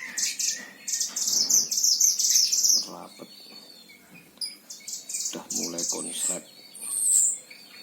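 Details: Himalayan oriental white-eye, Sragen, Central Java, Indonesia: a fast high twittering run, then scattered chips, a few faint low sounds, and a final high whistled note.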